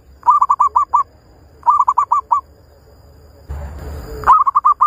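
A zebra dove gives quick bursts of five or six soft, staccato cooing notes, repeated about every one and a half seconds, broken once by a short rush of noise.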